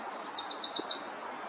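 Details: In a park, in an area near a Pileated Woodpecker nest that holds several tiny Wilson's Warblers, a Wilson's warbler sings a quick chatter of about seven high, dry chips at roughly eight per second, dropping slightly in pitch toward the end.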